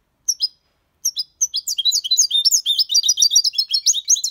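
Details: European goldfinch aged six months delivering clean Malaga copy song: a few separate high chirps open, then an unbroken stream of fast, tinkling, buzzy twitters and trills.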